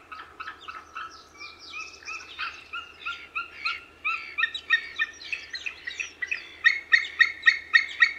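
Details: Overlapping yelping calls from a white-tailed eagle, starting soft and jumbled, then building into loud, evenly spaced barking yelps about four per second, growing stronger toward the close.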